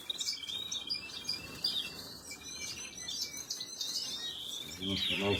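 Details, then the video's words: Canary chicks being fed by an adult, recorded on 26 April 2022: scattered high, thin chirps and short squeaky notes throughout, with a brief lower rustling burst near the end. "خواردن دان بەبێچوی کەناری،أطعام فراخ الكناري,Canary Feeding Baby"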